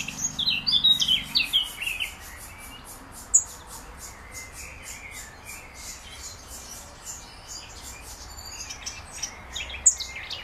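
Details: Young black redstart calling for its mother: thin, high ticking notes repeated steadily, about four per second, throughout, with a burst of louder twittering chirps from another bird at the start and faint low hum below.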